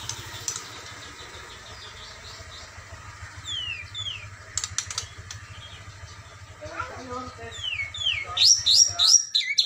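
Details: A Medan-type White-rumped shama gives high, down-slurred whistles, then a quick burst of sharp rising notes, calling out a rival over a steady low mechanical hum.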